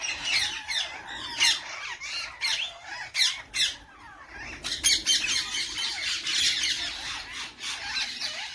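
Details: Parrots squawking: a busy flock of harsh, high, scratchy calls overlapping continuously, with louder bursts rising and falling throughout.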